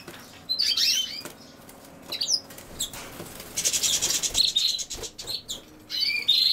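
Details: Goldfinch linked to common sow-thistle: scattered bright chirps and short twitters, interrupted by a burst of loud rustling or fluttering near the middle, then more tinkling notes toward the end.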